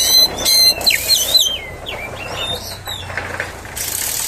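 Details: Oriental magpie-robin song used to provoke rival magpie-robins: a quick run of varied whistled notes, some rising, some falling, closely spaced early on and fading into softer chirps with some background noise.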